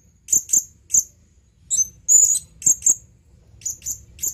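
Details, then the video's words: Male blue-crowned hanging parrot calling for a female: sharp, very high shrill chips, singly and in pairs, with one longer drawn-out whistled note near the middle, spaced by short silences. "suara burung serindit memanggil panggilan"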